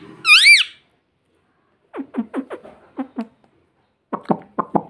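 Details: A pet parrot gives one loud, rising-then-falling squawk, then two bursts of quick, clipped syllables like imitated words, apparently "papa" and "mummy", each burst lasting about a second.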